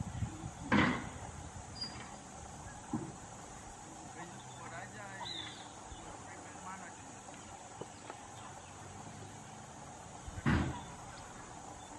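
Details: Two sharp knocks, like a door or cupboard closing, stand out over a steady low hum, with faint background noise and no clear animal voice.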